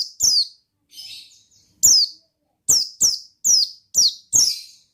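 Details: Oriental white-eye in ngalas song: a soft buzzy phrase, then a steady series of loud, high descending chirps about half a second apart, seven notes in all.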